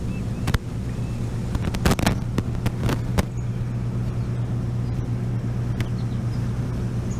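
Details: Steady low engine hum with a few sharp knocks and clicks; no animal calls.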